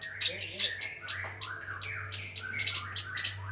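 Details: Fighter long-tailed shrike in full song, giving regular sharp high chirps roughly every quarter second mixed with lower slurred whistles; a steady low hum runs throughout.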